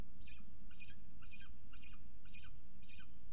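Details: At a nest camera site in Orange, NSW, a peregrine falcon calls during feeding: six evenly spaced, harsh chittering notes, roughly one every half second, each with a falling tail, over constant low mechanical hum.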